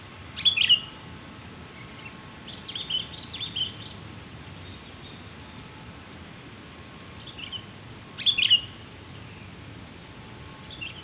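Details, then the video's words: Sooty-headed bulbul call for luring birds: loud bubbly slurred phrases at the start and again after about eight seconds, with softer chattering chirps in between. "Suara asli kutilang untuk pikat pasti nyaut"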